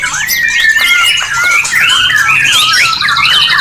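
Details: Caged white-rumped shama breeding lure: loud, rich song full of looping whistled phrases and swooping slurs that overlap one another without a break, intended to raise birds' readiness to mate.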